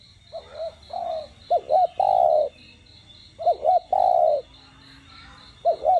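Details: Spotted dove giving its đồng gù and thúc style song, meant to excite captive doves into calling. Three phrases are each built from paired quick hoots and a long, mellow, slightly falling coo, roughly every two seconds. A rapid high chirping persists throughout.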